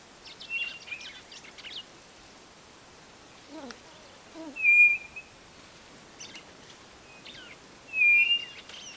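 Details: Song of the Nordeste quail in Brazil: level whistled notes about three seconds apart, mixed with chirping, twittering calls of other small birds in the background.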